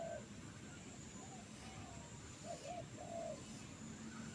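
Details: Trained bird calling in a jengkol tree outdoors: a few short, low, hooting notes, some bending up then down, in a brief burst amid steady hiss and a passing vehicle rumble.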